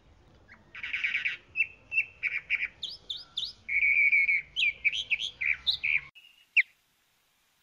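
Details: Varied song of a chalk-browed mockingbird, opening with a harsh buzzy rattle, then clear repeated whistles, upslurred notes and a long steady note, ending in scattered chips.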